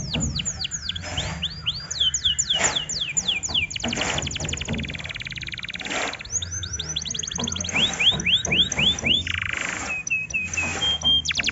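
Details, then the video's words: Canary singing a lure song meant to stir up other canaries: rapid falling whistled sweeps alternate with dense buzzy rattles and brief steady tones, with a noisy burst partway through and a low background hum. "BURUNG KENARI anda akan ikut emosi DENGAN PANCINGAN INI"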